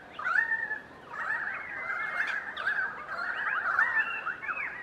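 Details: Flock of perhaps 100 currawongs passing through Donvale for a couple of days in winter 2014, calling to each other: a continuous, overlapping jumble of ringing, swooping whistles and gurgling notes with no pauses.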